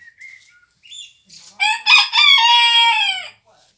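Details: Bearded d'Anvers rooster crowing at a grandparents' home: a loud harmonic crow in several bursts, rising then holding a long drawn-out note, preceded by faint chirps of small birds.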